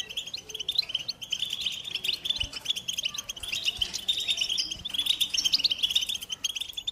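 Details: Carduelis carduelis song, a long stream of rapid, tinkling, high chirps and buzzy trill phrases with few gaps, and faint low taps underneath.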